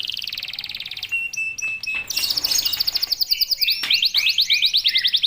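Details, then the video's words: Master canary song meant to prompt young canaries to sing: a brief rattling trill, a pause with thin notes, then a long fast series of rising chips that grows louder toward the end. "Gacor dorTembakan rapat kenari bahan ikut buyi"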